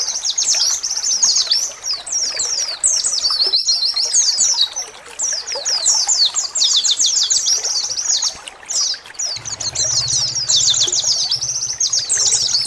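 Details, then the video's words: Pleci, the oriental white-eye, pouring out continuous high, thin, fast chirping in long runs with brief pauses, the "ciak ciak" calls played to coax caged birds into singing. "Suara pancingan dan terapi khusus untuk burung Pleci kecial ciak ciak agar cepat gacor"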